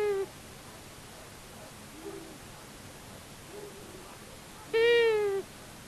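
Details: Long-eared owls, a male and female, at a common buzzard nest in Tiszavasvári, Hungary, March 23, 2022, filmed by a solar-powered nest camera: a single nasal, slightly descending wail near the end, preceded by a clipped call and faint quiet background.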